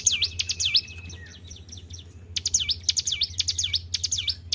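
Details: Kept white-browed shortwing: a few high, swooping V-shaped whistles, then a quiet pause of about a second, then the same falling-rising notes return in a quick run, over a low hum.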